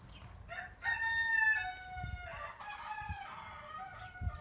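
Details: Pekin bantam hens, two frizzled blue-mottled-white females back in lay after a long moult, giving a long, wavering, nasal call that runs for about three seconds and slowly falls in pitch, with soft scuffling underneath.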